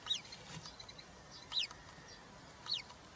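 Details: Three European roller nestlings on a live nest camera, 20 June 2023, during feeding with a large grasshopper; three sharp, high, downward-slurred squeaks about a second apart with faint thinner notes between them.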